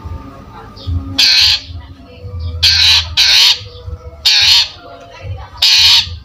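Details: Long-tailed shrike, a lively singing bird, used as a trigger sound for other birds: five loud, harsh, broadband squawks, each about half a second long, come at irregular intervals of roughly one to one and a half seconds, with low background rumble.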